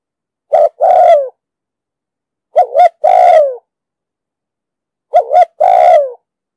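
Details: Spotted dove in the 'đồng sấm' voice style, recorded for trapping and decoy training; three evenly spaced phrases about two and a half seconds apart, each a quick wavering double note followed by a drawn-out, falling coo.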